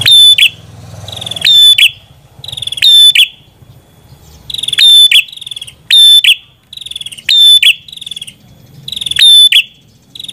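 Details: Red-headed prinia song, a long run of about eight phrases. Each is a rapid ticking rattle building into a shrill, buzzy, whistled burst, spaced roughly 1.3 seconds apart, with faint low rumble early on.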